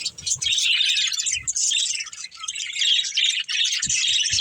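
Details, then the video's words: Several budgerigars in a family group, playing, give dense, fast, scratchy chirping and warbling that runs continuously, with soft low thumps near the start and end. "Cute Budgies Chirping Sounds"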